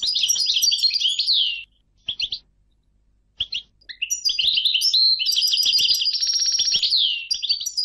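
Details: European goldfinch singing rapid, liquid twittering phrases, a short pause broken by two brief chirps, then a long energetic run with a buzzy rattling trill and downslurred notes.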